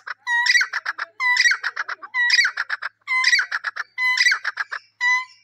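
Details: Repeated francolin call. Each phrase opens with a clear steady whistle and breaks into a rapid series of harsh, ringing notes. The phrase recurs roughly every second, loud and uninterrupted.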